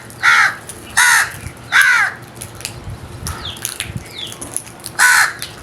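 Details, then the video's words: Crows calling with loud, harsh caws, three in quick succession about a second apart, then a pause and a fourth caw; faint thin bird whistles in the gaps. "Very strange Crows Sounds | Amazing noise made by Crows"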